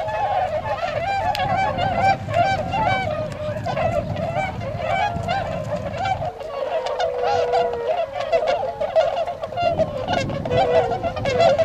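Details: Flock of Tundra swans wintering in Azumino, Nagano Prefecture, Japan, on 22 February 2013, heading to nearby rice fields to forage before their northward migration; continuous overlapping honks and whooping calls from many birds over a low rumble that fades midway.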